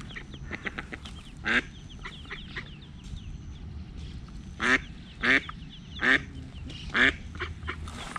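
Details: Eastern spot-billed duck family on the move at dawn, mother leading tiny ducklings before a cat attack; scattered faint chirps, then a run of sharp ringing quacks spaced under a second apart.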